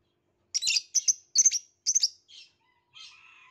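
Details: Rapid run of raspy, high chirps from a violet lovebird, about two per second, fading into softer scratchy notes and a faint thin whistle.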